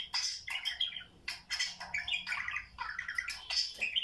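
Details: Budgerigars kept indoors, chattering while watching videos: a continuous stream of scratchy chirps, squeaks and warbled notes in quick succession.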